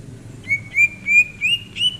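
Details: Relaxed greater green leafbird, January 2022, giving a run of five bright whistled notes spaced roughly a third of a second apart, each slightly higher, ending on a sharper upward flick over a quiet low background hum.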